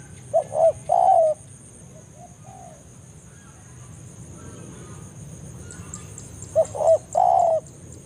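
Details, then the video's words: Spotted dove lure call in forest aimed at rivals: a coo phrase of short notes and a longer falling coo, a few soft faint coos, a long gap, then another full phrase, with a constant high whine and faint ticking. "cara pikat BANGGO full memanggil lawan di hutan"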